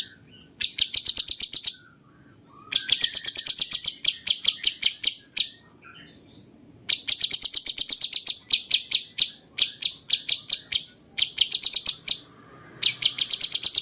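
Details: Cucak cungkok bulbul with a cucak-jenggot-flavoured song, used as a master for champion songbirds: long dense runs of rapid, sharp, high chips separated by quiet gaps holding a few soft scattered notes.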